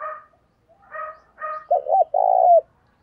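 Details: Decoy spotted dove cooing to lure wild doves. A few soft, husky, higher notes lead into a double-peaked low coo, then a sustained, buzzy, throaty coo that slides down at its close.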